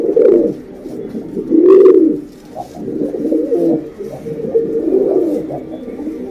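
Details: A female domestic pigeon calling a male, a lure call. Deep rolling coos swell and fade in phrases about every two seconds, with a small-room echo.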